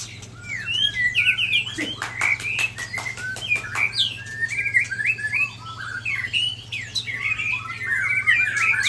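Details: Aceh white-rumped shama from Sabang being attacked by Ujong Pancu and Tangse shamas; busy overlapping song of sharp chirps, clicks and zigzag whistled notes, with sudden snapping sounds around two to four seconds.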